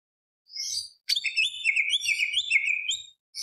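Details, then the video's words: Greater green leafbird, a constant singer, in a full-varied song used as a lure to stir other birds: a short high twitter, then a fast run of clear whistled and trilled phrases sliding up and down with no pause. "PANCINGAN CUCAK IJO BIAR EMOSI ~ CUCAK IJO GACOR FULL ISIAN ~ Tembak Beset Roll Panjang / Masteran"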